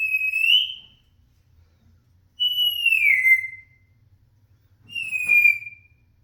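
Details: Pet grey parrot repeating sounds to get attention: three long clear whistles, each slurring downward, spaced about two and a half seconds apart, over a faint low hum.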